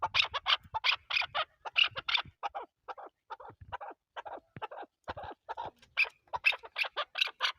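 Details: Chukar partridge, Pakistan's national bird, calling with loud harsh clucks in groups, a softer lower stretch in the middle, then strong rasping notes again.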